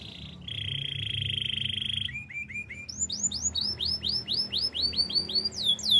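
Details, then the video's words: Canary singing on a training recording, opening with a sustained rolling trill, then short low upswept notes building into a series of loud rising-and-falling whistled sweeps repeated several times a second. "Beautiful voice of canary birds"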